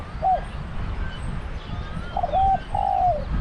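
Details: Spotted dove decoy with a deep voice at a trap enclosure in Thailand. A single short coo is followed after a pause by a short note and a longer, hoarse, falling croo, against steady low background rumble.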